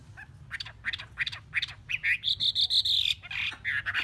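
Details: Chinese hwamei, a caged bird kept three months in a cage, giving a quieter run of short, rising chirped notes that build into a sustained high whistled phrase, then a few falling slurred notes.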